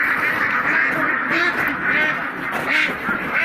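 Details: Mallards in a group: a few spaced, nasal quacks rising and falling, roughly one and a half per second, set against a steady, dense murmur of many more ducks calling together.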